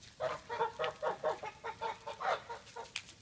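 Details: Geese in a farmyard: a quick series of short nasal honks, about a dozen in three seconds, uneven in spacing, with one higher sharper note near the end.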